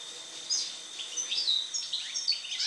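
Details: Goldfinch (Carduelis carduelis) song after moult: rapid, liquid high twittering notes tumbling one after another, set against a faint constant high tone.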